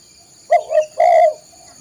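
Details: Spotted dove cooing, recorded for training caged birds: a brief soft coo followed by a longer, steady, mellow coo on the same low pitch. No other sounds are heard.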